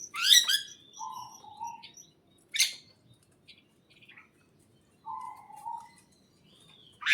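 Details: Chirping birds in a greenhouse: a dense loud chirping burst at the start, low level whistles, a sharp chirp near the middle, and another whistled phrase later.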